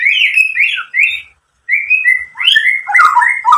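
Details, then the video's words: White-rumped shama song played to provoke other shamas into singing: clear whistled phrases, sliding and warbling, broken by a short silence, then richer twisting notes. "SUARA MURAI BATU memancing EMOSI jadi BUNYI NYAUT GACOR BONGKAR ISIAN | PANCINGAN MURAI"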